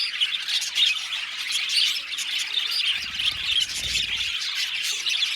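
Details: Seventy pairs of budgerigars in an aviary keep up a busy chorus of chirps and harsh squawks, about one louder call a second over the steady twittering, with a low rumble midway.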